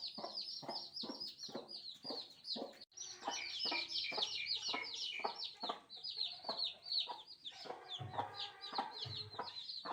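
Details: Several newborn chicks giving constant shrill peeps, quick downward-slurred notes tumbling over each other, punctuated by regular soft taps and a couple of low thuds near the end.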